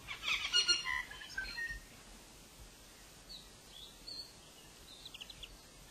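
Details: Black robin on Rangatira Island giving a burst of quick, high chirps at first, then scattered short bright notes over soft background hiss.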